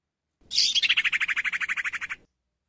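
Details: A female Golden-bellied Gerygone calling to attract a male gives a high, thin, rapid series of about sixteen even whistled notes after a brief higher opening note; no other sounds are heard.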